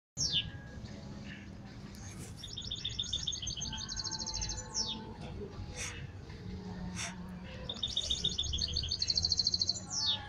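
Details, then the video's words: A goldfinch hybrid sings bright, tinkling phrases of fast high trills and quick downward-sweeping notes, in bursts a few seconds apart, over a low background rumble. "Campeando mixto de jilguero"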